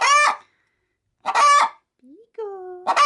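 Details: Pet hen readying to lay an egg inside a chicken-feed sack, cackling as someone nears: three harsh squawks separated by pauses, with a woman's voice speaking in Spanish between them.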